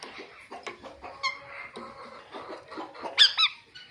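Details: Ringneck talking parrot giving natural chirping sounds: soft, scratchy chatter with short squeaky notes, ending in two louder, sharp harmonic chirps near the end. The sound is quiet overall, over a faint indoor background.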